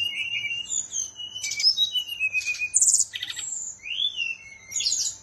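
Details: Songbird kept in Bali, Indonesia, giving a looser song of long, clear sliding whistles mixed with brief buzzy and clicking bursts, pausing between phrases, with a low background hum.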